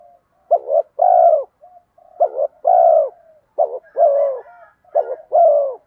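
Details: Spotted dove giving a bronze-voiced urging coo in the kèm mắt me style, used to lure wild doves: three phrases, each two short clipped notes then a long, mellow, slightly falling coo, with faint higher chirps late.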